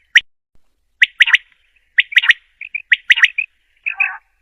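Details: A female common quail (Coturnix coturnix) gives short, sharp chirping notes in quick clusters of two or three, about once a second, ending in a rougher burst.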